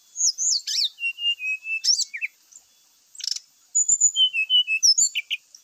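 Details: Grey-chested jungle flycatcher singing a varied lure song packed with mimicry: swooping high slurs, flat sustained whistles, brief pauses, then a fast run of repeated bright chirps.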